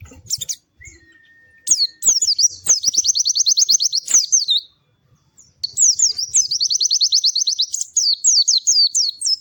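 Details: Melodious, lively white-eye song: after a few sharp chips and a thin steady whistle, two long runs of rapid, high, repeated slurred notes with a short silence between them.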